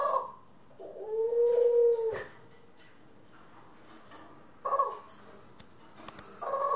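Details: Pet doves, ringneck, Senegal and hybrid, April 25, 2021: one clear, smooth coo rising and settling, surrounded by short rough bursts, clicks and shuffling sounds.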